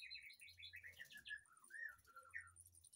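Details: White-rumped shama singing in an aviary behind a house: a varied run of clear whistled notes, some rising and some falling, strung into quick phrases with slurred bursts in between. A faint low hum runs throughout.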